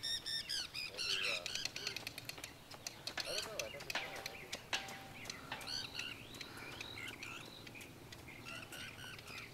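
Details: On 15 June 2014, a tern, thought to be a river tern or possibly a common tern, gives harsh, high, overlapping calls in rapid bursts while an adult female feeds a chick, with wingbeats and soft voices behind.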